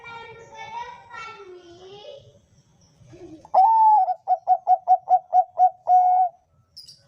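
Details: Kept Bangkok-type zebra dove, a recording played to train other perkutut toward a big voice: faint mellow warbling first, then a loud rising coo, a rapid run of about eight short even coos and a long level closing note.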